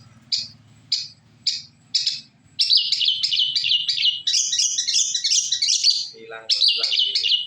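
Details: Shrike (cendet) lure song: four spaced single chips, then a fast warbling run of varied high notes and trills, ending in a brief scratchy phrase.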